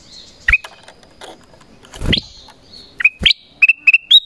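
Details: Black-crested bulbul giving its calling voice to attract wild bulbuls: scattered sharp whistles, then a lively closing series of short clear notes rising at the end, with a brief low rustle in between.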